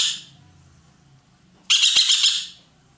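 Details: Loud roller, kept in Indonesia as a tutor bird for training songbirds: a fading tail of one call, then a single harsh, grating burst of just under a second after a pause.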